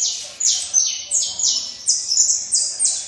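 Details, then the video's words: Loud saffron finch song of about seven sharp, high notes in three seconds, each one a quick downward slide, delivered at an uneven, lively pace. "canário da terra cantando muito"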